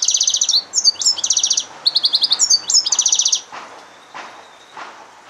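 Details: Hybrid of yellow-fronted canary and domestic canary singing; rapid series of sharp repeated trilled notes in quick bursts for about three and a half seconds, then fading to a few soft faint notes with light background noise.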